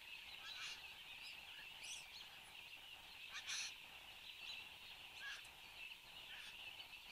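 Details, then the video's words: Satin bowerbird active at the bower, Australia, morning of 10 January 2015, captured by a fixed camera: scattered harsh, crackling bursts and rattly notes come in irregular clusters against a constant shrill insect drone. "Satin Bowerbird"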